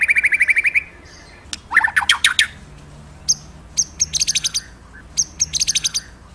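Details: Vigorous magpie-robin song opening with a fast even trill, followed by sharp dry clicks and a burst of rising notes. Then come scattered high, buzzy chattering phrases separated by short pauses.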